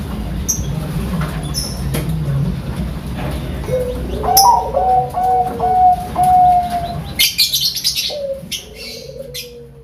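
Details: Bangkok-line zebra dove singing in the standard style at a bird farm in Sidoarjo, East Java. A run of gentle repeated coos comes midway, with scattered clicks and rustling noise around it and a final lower coo.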